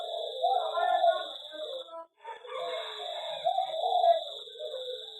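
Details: Zebra dove singing in an aviary: soft, rolling low coos in two phrases separated by a brief pause, with a steady high electronic whine running throughout.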